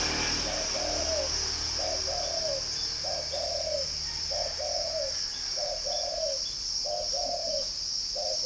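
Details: Caged spotted dove at a Ba Vì, Hanoi dove garden in Vietnam coos in a long series, seven low two-note phrases with the second note longer and falling, every 1.2 seconds, over a persistent high insect buzz.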